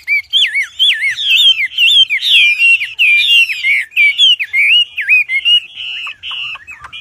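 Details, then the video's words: Ashy tailorbird in full, loud song, kept as a master song for training other birds: a rapid run of looping, wavering whistled phrases repeated almost continuously, sharp and strident, with no other sounds. "Wambi Gacor Cocok Untuk Masteran Suara Lantang dan Keras"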